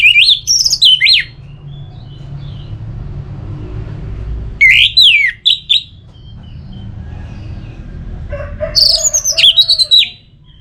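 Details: Orange-headed thrush song for prompting a bird to sing in rainy or dry season: varied high slurred phrases in three bursts separated by quiet gaps with low rumble.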